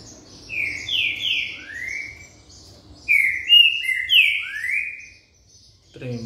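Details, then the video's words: Green-winged saltator recorded on a Sunday, 23 August, singing two loud whistled phrases of slurred notes that glide downward, separated by a pause, with a brief human voice at the end. "Trinca ferro"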